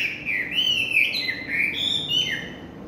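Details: Evening song of a Chinese hwamei: a continuous run of clear, loud whistles, each slurring up and then dropping, strung together without pause over faint background hiss.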